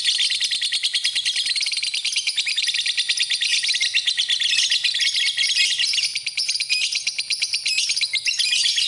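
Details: Lovebird chattering song, a continuous high-pitched stream of fast chirps and buzzy trills, briefly softer in places but never pausing.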